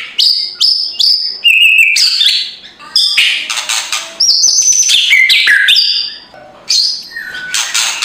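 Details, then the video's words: Shama song for rousing a silent bird in the morning: a loud medley of high clear whistles, buzzy harsh notes and quick chatter, phrases coming in close succession. "MURAI BATU LANGSUNG NGEGASS KRETEKAN K4SAR SUARA RAME || Memancing emosi murai batu malas bunyi"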